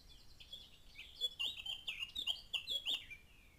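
A Blackcap sings a quick, varied warble of high, clear notes that swells into a loud, fluty burst lasting about two seconds, over faint background hiss.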